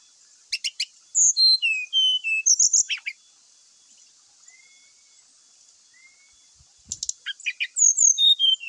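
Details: Brown-chested jungle flycatcher whistling, played to stir rivals into fighting: clicks, then a string of descending clear whistles, a long quiet stretch with two faint notes, and a closing run of sweeps and clicks.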